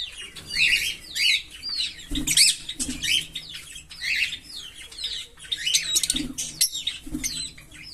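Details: Green Fischer's lovebird pair singing: continuous high twittering of rising and falling squeaky slurs in quick phrases, with scratchy bursts and faint low knocks of movement.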